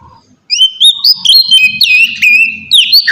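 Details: Oriental magpie-robin lure song, opening after brief quiet into a fast, varied string of rising whistles, buzzy slurs and chattering notes, with low background hum.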